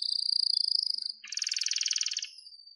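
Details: Canary singing a training song: a sustained high whistled trill, then a faster buzzy rattling roll lower down, clean with no other sounds.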